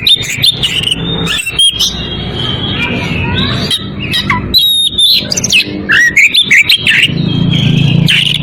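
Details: An Oriental magpie-robin in breeding condition calls a rival with bright whistles, quick slurred sweeps and harsh chatter, many short loud phrases in fast sequence, against low traffic-like rumble.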